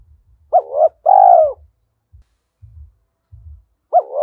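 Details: Spotted dove decoy bird cooing in the thổ voice style, used to provoke wild doves: a short two-note hooked coo, then a longer, level, falling coo, with a new phrase starting at the end. Soft low thumps run underneath.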